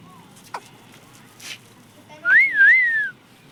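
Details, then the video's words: Talking parrot, said to speak the words "mummy papa": one loud, clear, whistle-like phrase of about a second that rises and falls twice in a wavy line, preceded by a few faint clicks and soft rustles over low background hiss. "mummy papa bolne wala tota"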